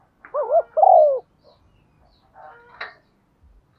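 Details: Female spotted dove giving a calling coo used as a lure: a single phrase of a wavering hoot and a longer sliding-down hoot, followed by soft background clatter.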